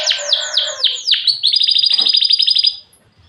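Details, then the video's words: Canary singing vigorously, used as a lure song for other canaries: four or five sharp descending whistled sweeps lead into a long, rapid, buzzy high roll that lasts over a second before fading to silence. "suara burung kenari gacor"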